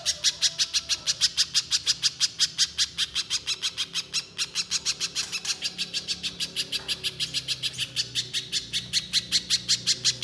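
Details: Little spiderhunter in energetic song: a dense, machine-gun series of sharp, high chips, around five per second, running nonstop for ten seconds with little variation.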